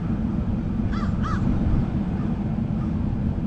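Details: Crows from a flock give two harsh, arched caws about a third of a second apart near the middle, over a constant low rumble of traffic-like background noise.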